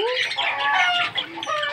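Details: A pet green Indian ringneck parakeet, coaxed by its owner to talk, gives a run of harsh, nasal, voice-like notes. It opens with a quick rising syllable, then chatters unevenly for under two seconds.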